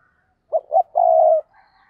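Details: Spotted dove used as a decoy bird to stir up wild doves, giving one phrase: two quick hollow coos, then a long, even, low drawn-out coo. Faint bird calls follow.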